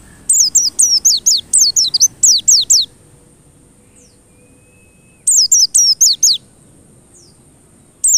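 A white-eye sings bursts of very high, thin, quickly sliding notes in rapid twittering runs, with pauses between phrases over a faint low hum.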